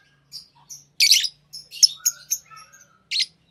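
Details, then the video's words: Pet lovebirds giving sharp, high chirps and short squeaky notes in scattered bursts, with one louder harsh chirp near the middle and a faint low hum underneath. "Love birds Sounds | lovebirds chirping sounds"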